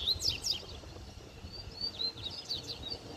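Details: Double-collared seedeater in the wild near its nest; the female becomes agitated when approached. Short, high chirped notes and quick descending slurs come in clustered bursts, some overlapping, over faint background hiss.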